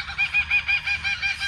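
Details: Laughing Kookaburra in Australia gives a rapid run of harsh, chuckling notes, about six to seven per second, rising and falling in a steady rolling laugh, heard on a sunny morning after a cold night.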